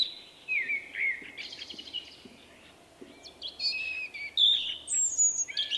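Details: A shy male common blackbird with an unusual individual song, rendered 'vuippi vuippi vuuu', recorded in March 2024; mellow phrases, the first falling to a lower pitch, then high twittering flourishes and a few sharp whistled notes.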